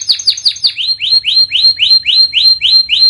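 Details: Canary recorded as master training audio for birds that have stopped singing: a few quick high notes, then evenly repeated rising whistled notes, about four per second.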